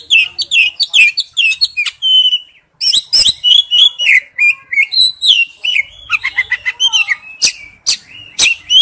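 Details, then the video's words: Male oriental magpie-robin calling to a female: rapid, varied song-like calling of whistles, slurs and harsh clicks, nearly continuous with one short pause. "tiếng chích chòe than gọi mái/chích chòe than trống kêu"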